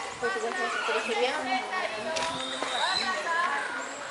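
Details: A turquoise-fronted amazon (Amazona aestiva) at a zoo in Recife, Brazil, filmed 25 October 2011, chatters continuously in rough, harmonic phrases with squawks and slurred, speech-like notes, over a busy background.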